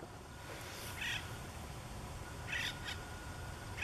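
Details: Acorn woodpeckers in Santa Margarita River riparian habitat exchange a coveted perch to call and display. They give harsh, nasal squawks in short bursts about every second or two, over a steady low rumble.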